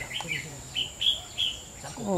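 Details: White-cheeked red-whiskered bulbul singing in competition against many older birds: clipped, high chirps repeated in a loose series, then a man's voice starts at the end.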